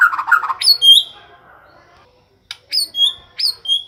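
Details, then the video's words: Nonstop day-and-night song of a white-rumped shama: scratchy chattering notes and a rising whistle, a brief silence, then three clear high whistled phrases with sliding tails. "Murai batu siang malam kicau terus"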